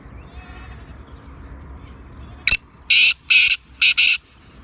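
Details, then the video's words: Black francolin in Sindh, Pakistan, giving a loud, rasping call. One sharp click is followed by four harsh, broad notes in a quick, slightly irregular run over faint low background noise. "Kala Teeter"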